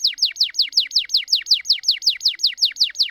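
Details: Canary singing as a prompt for canaries that have gone quiet: a very regular series of about fifteen sharp down-slurred notes, roughly five per second, clean with no other sounds.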